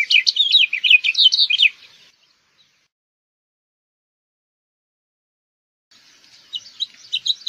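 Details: House Finch song: a dense two-second burst of scratchy, twittering warbles, then a long silence before another, quieter stretch of jumbled chirping begins.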